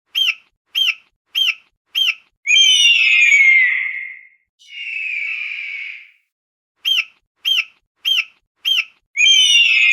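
An eagle gives a run of sharp, high chipping notes at about one every half second, broken by long, harsh, falling screeches. No other sounds are heard.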